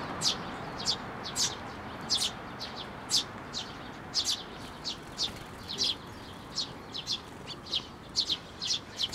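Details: Sparrows at a Tenmangu shrine on 18 May 2024, coming to the hand for food and feeding nestlings; repeated high, clipped chirps, often in quick pairs, with steady background noise.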